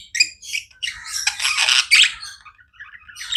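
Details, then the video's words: Non-stop chirping from pet budgerigars: raspy, noisy chatter swelling into a loud, harsh burst, then fading to thin squeaky notes before another chirp. "Budgies non stop chirping sounds"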